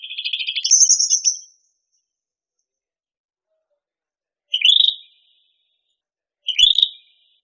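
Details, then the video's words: Cucak rante song: a fast chattering trill ending in a high bright flourish, followed after a pause by two short sharp rising chip-like phrases about two seconds apart, in an otherwise quiet setting. "SUARA BURUNG CUCAK RANTE- CUCAK RANTING"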